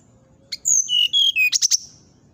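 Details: In the morning a brown-chested jungle flycatcher gives long, pure whistles that step down in pitch, then three quick, piercing high notes to finish.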